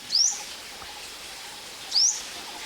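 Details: Ornate Sunbird, a common sunbird in Thailand, at a bird-photography hide where birds drink and bathe: two thin, high, upslurred call notes about two seconds apart, over a steady soft background hiss.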